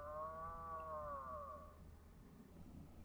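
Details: An Atlantic puffin on the sea cliffs of a small island, with puffins flying by the sea, gives one low, drawn-out moan of nearly two seconds that sags slightly in pitch, over a steady low rumble of wind.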